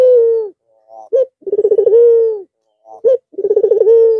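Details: White red-eyed Barbary dove resuming its cooing after a long Eid al-Fitr break, giving deep rolling coos: a burst of quick pulses flowing into a sustained low drawn-out note, with short clipped calls between.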